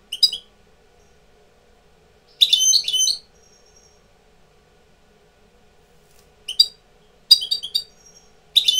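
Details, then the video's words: Tutor European goldfinch coming into breeding condition sings short, bright, high twittering bursts with tinkling and buzzy notes. The bursts are separated by silent gaps of up to three seconds, and a faint low hum sits underneath. "jilguero maestro cogiendo el celo"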